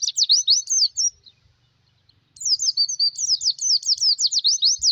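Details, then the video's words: Oriental white-eye (pleci) song of a caged type used to lure birds and train songbirds: rapid high-pitched chattering phrases of quick descending twittered notes, one burst of about a second, a pause, then a longer fast sequence. "Suara pikat pleci masteran untuk pemikat dan pancingan burung sangkar"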